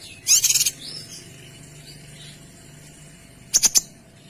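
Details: Kinoy delivering rapid close-set bursts: a dense, bright rattling trill at the start, a few soft high whistles, a long quiet gap, then a brief clipped triple burst at the end.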